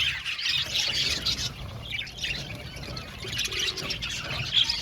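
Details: Budgerigars in an aviary, with a softer, uneven twittering of chirps and warbles that swells and fades, over a low background hum.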